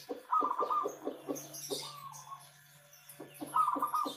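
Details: Javanese local zebra dove singing as a lure for other birds: quick runs of pulsed, chuckling coo notes, a short pause, then a renewed rippling phrase, over a steady low electrical hum.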